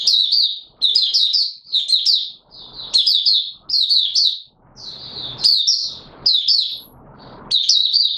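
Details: Caged Mata Puteh Raja white-eye, still short of full condition, giving its opening song: repeated high chattering warble bursts with brief pauses, continuing steadily through the recording.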